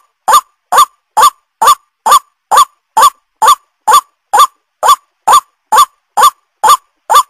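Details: Lure call of a White-breasted waterhen, fifteen loud, rising, honking notes delivered steadily, a little over two each second, with clean silence between them and nothing else audible.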